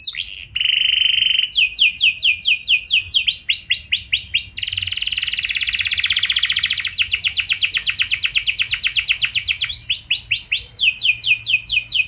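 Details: Canary song used as a lure to set other canaries singing, 'cengkok mewah' style with long 'nembak' runs: a sharp whistle, then rapid high rolling trills and chopped sweeping notes that run on almost without pause.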